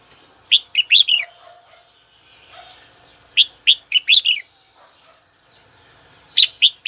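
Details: Caged red-whiskered bulbul calling out to a rival bird: three separate bursts of loud, clipped whistled notes with quiet gaps between them, over a faint low hum.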